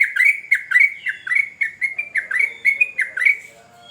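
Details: Vigorous sooty-headed bulbul song: evenly paced, rich bubbly notes, each a quick down-up slur, repeated steadily with a soft, lower murmur in the background toward the end.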